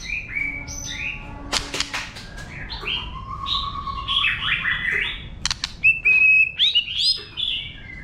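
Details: White-rumped shama singing a wild-type song used to stimulate other birds: varied rich whistled phrases, some long steady notes, others sliding and rising, broken by sharp clicking bursts.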